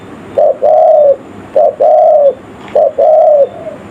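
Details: Spotted dove giving a village-style lure call used to attract forest birds: a short mellow coo followed at once by a longer, gently arching coo, the pair repeated three times roughly every 1.2 seconds, against a quiet background.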